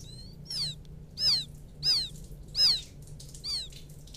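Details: Somewhat quieter, five high, descending whistles come from a field quail chick seeking its mother. The notes are spaced roughly every seven-tenths of a second against a low background hum.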